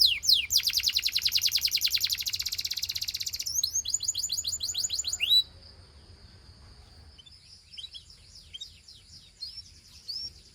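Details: Gloster canary singing to encourage other canaries: a long high rattling trill, a burst of quick descending whistles, then a steady thin whistled tone and scattered soft chirps.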